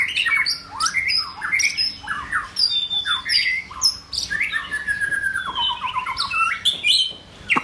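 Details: White-rumped shama form-building song made of jumbled upslurred and downslurred whistles, high chips, and a short descending rattle of quick notes, with a soft background hum.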